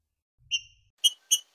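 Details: A Green-winged saltator sings a brief phrase in the "Boiadeiro" song style: one clear, steady whistle, then two quick, ringing notes about a third of a second apart, over a quiet background.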